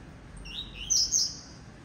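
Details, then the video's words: Blue-black grassquit delivering a quick rising note and then a loud, buzzy, high-pitched burst lasting about half a second. "TIZIU CANTANDO"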